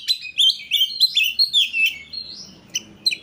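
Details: Kacer (Oriental magpie-robin) lure song: quick warbled whistles rise and fall for two seconds, then fade to a few isolated high notes over soft low background chatter.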